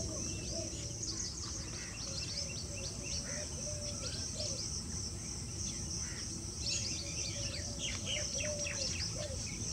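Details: Wire-tailed swallow at Keoladeo National Park (Bharatpur), India, twittering with quick, high chirps in scattered bursts, over a steady insect hiss, a low rumble and a faint lower whistled note.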